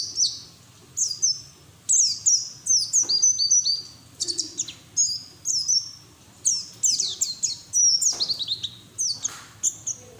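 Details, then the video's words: White-eye singing continuously with open bill, used as training audio to prompt other white-eyes to sing: rapid, high twittering chirps and thin descending whistles in dense bursts, nearly unbroken throughout, with brief gaps around the fourth and eighth seconds. "PLECI NGERIWIK TELER BUKA PARUH NGALAS UNTUK TERAPI PLECI BAHAN"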